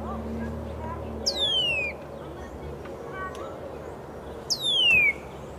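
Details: Northern cardinal giving two loud, clear, downslurred whistles, each sliding from high to lower pitch over about half a second, about three seconds apart, over a steady low background hum.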